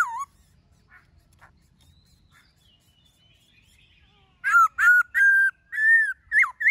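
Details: Forest-style song of a black-throated laughingthrush: a brief falling whistle, near silence with faint thin tones, then a burst of loud whistled notes, some flat and sustained, others slurred up and down.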